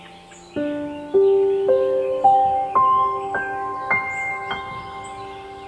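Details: A mallet instrument plays a rising sequence of ringing chime-like notes, about one every half second, over faint background hiss, with no animal voice.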